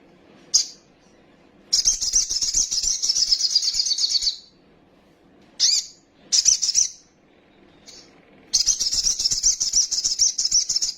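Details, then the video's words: Little spiderhunter, a lure recording meant to quickly agitate young birds into full song and wing-flapping display: high, dense, buzzy trills lasting two to three seconds, with short sharp chirps between them, over quiet low background hum. "PANCINGAN BURUNG KOLIBRI SOGOK OTONG BAHAN CEPAT EMOSI BUNYI FULL ISIAN SOGON NGELEPER"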